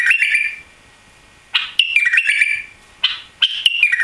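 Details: Recently arrived caged white-eared bulbul giving warbled whistled phrases with sliding notes, in three bursts separated by pauses.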